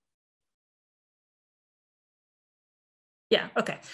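Three seconds of silence, then a person starts speaking with a quick breathy burst of words, with no animal sounds.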